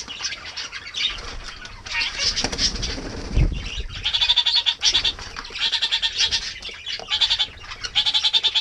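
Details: Bathing kākāriki on a mild winter morning: scattered squawks and a low splashy thump early on, then rapid repeated chattering bursts of quick, evenly pulsed notes, about one burst per second, several in succession.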